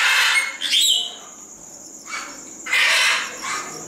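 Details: Captive superb starling at Děčín Zoo gives harsh, grating chatters in three or four bursts, with a brief clear whistle slurring upward early on.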